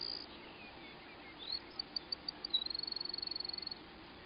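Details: A male Baird's Sparrow sings on its territory in North Dakota: a few high, thin tinkling notes, then a fast, even trill lasting about a second, over a faint low background hum.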